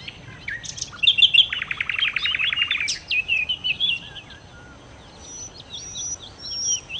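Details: Lively song of a nightingale known locally as sikatan londo: scattered high notes lead into a loud, fast, rattling trill lasting over a second, followed by warbled phrases and thin, high squeaky notes fading out.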